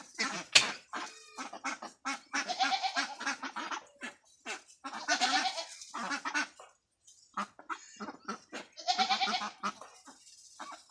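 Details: Flock of ducks at a duck farm quacking loudly, harsh raspy bursts in irregular clusters separated by brief pauses, several birds calling at once.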